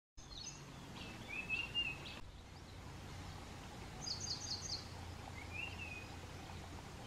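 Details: Ashy prinia calling outdoors: scattered short high chirps, then a quick run of about six repeated high, sharp notes, and a lower brief rising note near the end, all over steady hissing background noise.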